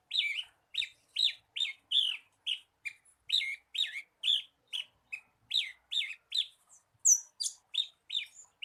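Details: Song of a Javan bushlark intended to make a kept bird sing: evenly spaced, somewhat lower whistled chirps, about two a second, with one sharper high note near the end.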